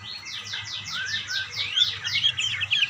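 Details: Budgerigars calling to each other in a fast, rippling warble of repeated, downward-sliding high notes, a few each second, growing more jumbled toward the end.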